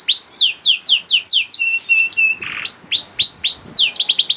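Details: Young canary (kenari paud) song used to make hard-to-start canaries sing: repeated loud downslurred whistles, a flat piping phrase, a short harsh note, then more looping rising whistles and a fast trill.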